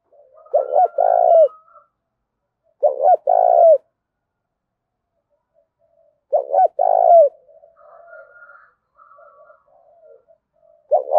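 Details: Spotted dove cooing to excite other caged doves into calling. Four soft, resonant phrases are spaced unevenly, each a clipped double note and a longer coo, with gentle low warbles between and a new phrase starting at the end.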